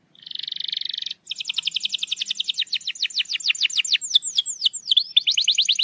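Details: Canary singing, used to coax a lazy canary to sing: a short buzzy trill opens, then a long rapid run of descending chirps and looping whistles, steady and high-pitched throughout.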